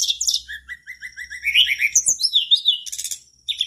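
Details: Mangrove blue flycatcher in full, lively song, played to prompt other flycatchers to join in; high chirps and sliding whistles, then a string of short repeated notes rising in pitch, ending in buzzy rattles and thin whistles.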